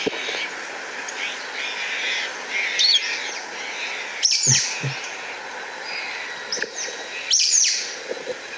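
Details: Sulphur-bellied Flycatcher in southeast Arizona in late summer, typically high in sycamores and heard before seen, giving its sharp, high squeaky-toy calls, two loud ones about three seconds apart, over a steady hissing background.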